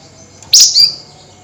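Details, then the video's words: Flameback calling at night in an excited nyerecet style: one harsh, buzzy high note that breaks into a thinner, falling squeal. The note is short and sharp, over a quiet background hum. "Tembakan Burung FLAMBOYAN GACOR Nyerecet Emosi Tinggi DiMalam Hari"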